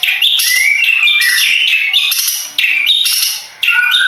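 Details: Madura long-tailed shrike singing harsh, rasping phrases laced with short whistled notes. Two brief pauses split the loud, continuous delivery.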